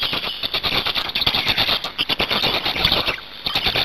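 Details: Hungarian black storks at the nest, 8 May 2019, one partner arriving and the other leaving, with feeding. Continuous high-pitched squeals with stuttering pulses, about forty bursts a minute, with rattling clicks throughout.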